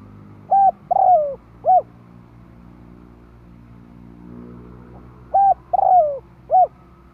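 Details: Spotted dove calling to lure other doves: two three-part coo phrases about five seconds apart, each a short hooted note, a long descending coo and a short closing note, over a low steady hum.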